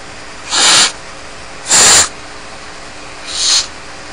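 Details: At Starr Ranch, barn owl chicks alone in the nest utter drawn-out hissing screeches, two loud then a quieter third, about a second and a half apart.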